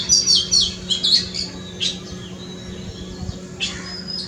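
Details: An Oriental magpie-robin in a front yard sings a quick run of sweet, varied whistles and twittering notes, then pauses before two more short phrases, over a faint low hum.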